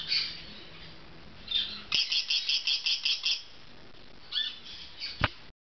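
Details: Pet Golden-winged parakeet during bath time calling: a few scratchy chirps, then a fast even series of about eight sharp notes, followed by more squawks and a loud click near the end.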